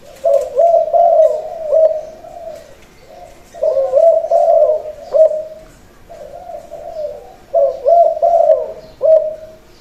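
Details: A trained captive Spotted Dove, set on the ground, gives its crowing song: three low, mellow cooing phrases, one roughly every three and a half seconds, with faint high chirps of other small birds behind.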